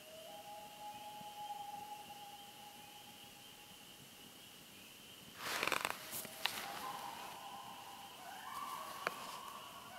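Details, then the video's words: At night at Big Dam Lake, Kejimkujik park, Canada, a common loon gives a long, steady, mournful tone lasting several seconds, then a rising note near the end, with a constant high hum and brief rustling. "Loon calls"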